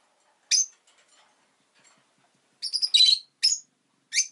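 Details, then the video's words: Pet rosy-faced lovebird giving sharp, high chirps: one at half a second, then a rapid cluster of three to four shrill notes near three seconds and a last chirp at the end; faint street noise beneath. "Lovebird Chirping Sounds"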